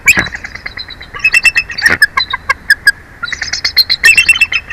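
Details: At a Big Bear Valley nest watched by a live camera, a bald eagle utters a run of thin, staccato squeaky notes, several per second, with brief gaps and faint wind-like hiss behind.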